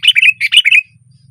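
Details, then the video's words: A single short, loud phrase from a sooty-headed bulbul on a branch: two quick bursts of bubbly warbled notes lasting under a second, then quiet. "SUARA BURUNG KUTILANG GACOR KERAS KETIKA DIATAS RANTING"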